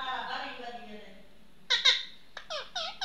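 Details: Pet Indian ringneck parrot, a talking bird indoors, with soft human voices at first, then a burst of two sharp squawks and three quick bent, nasal chattering notes.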